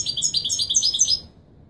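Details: Wiydani Marrakchi style song of a European goldfinch, used for teaching chicks to sing: quick run of bright, high twittering notes with sharp chirps, stopping after about a second into near silence.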